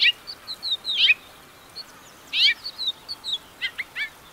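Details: A house finch delivers quick strings of high twittering notes broken by scratchy, downward-sweeping bursts, a fast warbled run near the end, all over a faint steady hiss.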